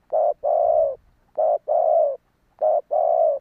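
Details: Spotted dove coos for luring wild doves. Three even phrases, each a brief coo and then a longer, gently falling hum, come about once a second in a clean, quiet setting.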